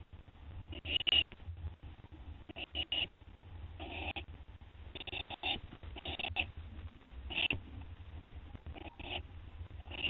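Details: Recorded at 2:56 AM on 10 September 2011 as an owl finishes a gopher brought by another owl; repeated coarse hissing screeches at uneven intervals, with faint clicks and a constant low hum.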